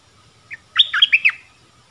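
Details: One soft introductory chirp, then a quick, tight cluster of four bright, slurred notes from a streak-eared bulbul, with a faint low hum in the background.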